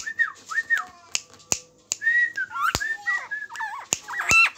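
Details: Lombok friarbird singing actively while held on the hand: paired arching whistles, then a burst of rapid twisting notes, punctuated by loud snapping clicks throughout.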